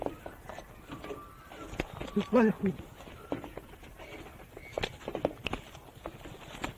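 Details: Male Australian musk duck, four years old, hand-reared from hatching, mimicking human speech learned from its surroundings: a short, low, voiced, speech-like utterance mid-clip among scattered knocks, taps and clattering noises.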